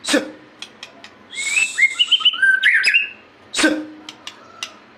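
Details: Lively white-rumped shama song of varied clear whistles, stepping up and down in pitch in a rapid flowing phrase, framed by sharp sweeping notes at the start and near the end.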